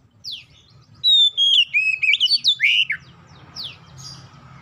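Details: Oriental magpie-robin song played to prompt other magpie-robins to sing; a single burst of loud, slurred whistles and sweeping notes, then a couple of faint down-sweeps over a rising background hiss.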